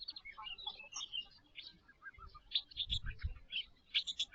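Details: Caged white-rumped shama in a semi-natural aviary watched by an IP camera, singing a rich string of whistled, chirping and slurred phrases mostly high-pitched, with brief low thuds near the middle.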